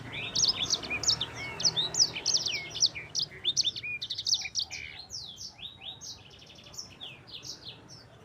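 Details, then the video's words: A sanger (yellow-fronted canary) pours out a long, busy 'roll' song of tumbling high whistles and down-slurred notes, loud at first and then trailing off more softly. "Kicauan Sanger Gacor Roll Juara"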